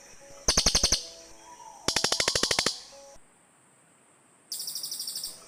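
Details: Cililin birds calling back and forth, a call used to lure birds in the forest: quick trills of sharp clicking chirps, one of about seven notes, a longer one of about twelve, then a softer burst after silence.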